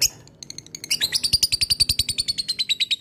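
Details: Ngekek-style chatter from a fighter lovebird calling a rival: rapid, evenly pulsed high-pitched notes, a shrill sustained chatter repeated several times per second with no other sounds.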